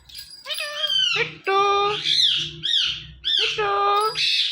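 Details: Captive talking parrot imitating human words, with drawn-out, rising and falling harmonic syllables in three phrases, strong and slightly harsh, with faint low household hum behind.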